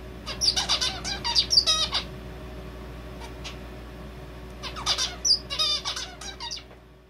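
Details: Song of a male zebra finch that copies red avadavat calls, heard as cheerful peeping: two bursts of fast buzzy chirps and high whistled peeps separated by a quiet pause of about two seconds, steady hum behind.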